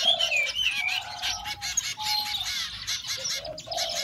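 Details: Short burst of hungry zebra finch chicks: wavering whistled notes and squeaky chirps over a broad, noisy begging rasp.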